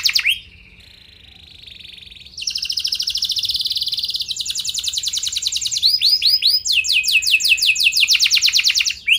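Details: Domestic canary singing as a lure for other canaries: an opening note, a soft low buzzy trill, then loud high rolling trills and rapid repeated sweeping phrases.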